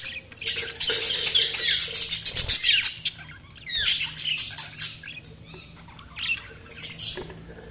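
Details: Budgerigars chirping in a dense, busy stream of high warbling chatter and quick rising and falling squeaks, about two and a half notes per second, easing into sparser chirps over a steady low hum.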